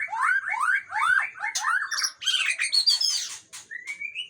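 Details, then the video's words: Singing Aceh white-rumped shama: rapid downward-sweeping whistles lead into loud scratchy, buzzy notes, ending with a soft rising whistle. "Murai Aceh"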